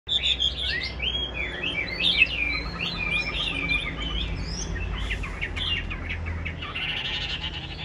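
A Chinese hwamei sings a rich, varied run of loud whistles, slurs and quick trills, pouring out without pause over a faint low hum.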